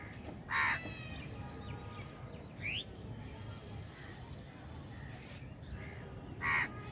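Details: Crows gathered in a crowd, with two loud harsh caws about six seconds apart, a fainter caw between them, and a short rising chirp from another bird against a constant low rumble.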